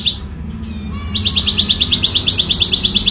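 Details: Bar-winged prinia in natural surroundings, ngebren song: a single sharp note, a few thin softer sounds, then a steady fast string of loud high chips about seven per second.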